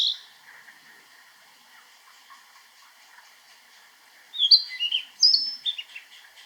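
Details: A male Narcissus flycatcher sings a short burst of clear, varied whistled phrases, high and quick, after soft background chatter of other birds; recorded in Niigata Prefecture, Japan.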